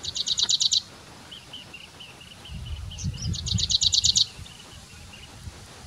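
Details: Grey-breasted prinia at Bundala National Park, Hambantota, Sri Lanka, in January 2019, giving two rapid bursts of high, dry ticking notes, about seven each, with softer chips between and a low background rumble.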